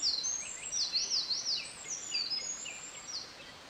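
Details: Close Eurasian Wren singing by a stream on 24 May 2013 in reply to a far-off Japanese Thrush. A loud, very high song of quick trills and steep zigzag sweeps, with sharp repeated notes, carries over faint background noise.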